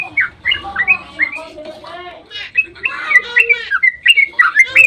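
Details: Yellow-vented bulbul dawn song in the fast ropel style, used as a lure to make other bulbuls answer; dense bubbly chatter of short warbled notes, quieter in the middle, then louder and faster with bright rising phrases at the end.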